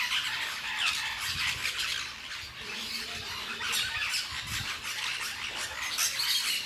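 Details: Lorikeets eating fruit in La Fortuna give dense, harsh, overlapping squawks and screeches, high-pitched and almost continuous, with several birds calling at once.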